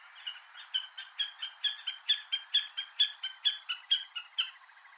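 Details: White-tailed eagle chicks feeding on lumpfish in Iceland: a steady series of short, husky, rising yelps, about two to three per second, each with a thin whistled top, evenly spaced and persistent.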